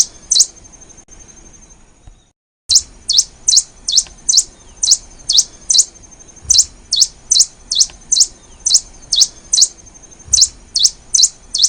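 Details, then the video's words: Black-and-rufous warbling finch song with one opening note, a brief silent gap, then a long steady run of high, rapidly down-and-up chirped notes about every half second, evenly spaced and unchanging. "BURUNG KICAU"POOSPIZA NIGRORUFA"(KICAU MANIA)Gacor di Alam piar"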